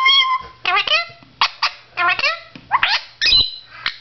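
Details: A blue Indian ringneck parakeet talks to himself in the mirror in short, high, nasal bursts of word-like phrases, about one every second, with squeaky rising inflections.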